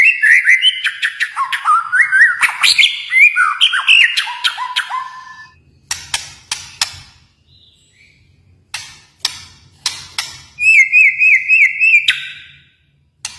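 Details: White-rumped shama from Kalimantan delivering a fast, varied song of rich looping whistles and stepped phrases, broken by sharp snapping clicks, ending in a rapid trilled rattle; faint low background hum.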